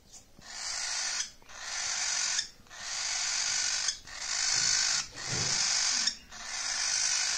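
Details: A cockatiel meeting a baby cockatiel for the first time gives harsh, hissing bursts, each about a second long, repeated in a steady series.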